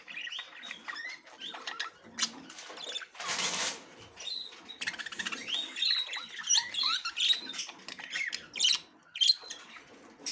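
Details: Female budgerigar, kept as a pet, inspecting a nest box for the first time: busy, high chirping and warbling chatter of quick squeaky notes, with a brief burst of rustling partway through.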